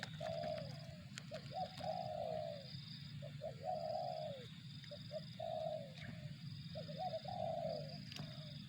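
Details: Spotted dove repeating 'target zong' style phrases: quick upturned introductory notes and long, slightly descending coos, about four phrases in close succession, with faint clicks and a continuous low hum.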